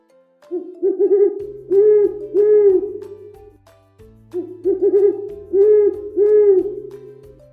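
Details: A Great horned owl gives deep, soft hoots in two matching phrases about four seconds apart, each a quick stuttered run of hoots, over a low, steady musical hum.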